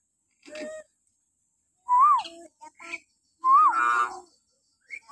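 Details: Common hill myna calling in the morning as a lure for captive mynas: clear whistles that rise and then fall, each followed by buzzy, harsh notes, with soft clicks in between.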